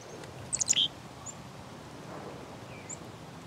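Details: Black-capped chickadee producing a brief cluster of thin, high sharp chips in quick succession near the start, then only faint scattered high notes over quiet background noise.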